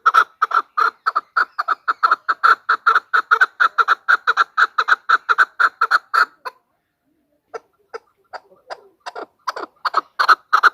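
A female Chukar Partridge gives a fast run of harsh, clucking chuk notes, about five a second, then a pause and a few scattered notes before the calling picks up again.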